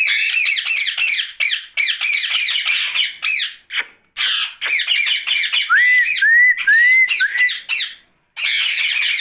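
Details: Night talking by a rose-ringed parakeet: fast, choppy bursts of grating chatter, about two per second. A short run of four clean upward-sliding whistles comes midway, then more chatter.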